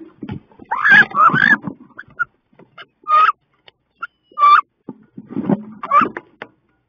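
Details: Inside a nest box on 16 May, two female wood ducks fight; bursts of squealing calls alternate with scrambling and thumps, and pauses fall between the outbursts.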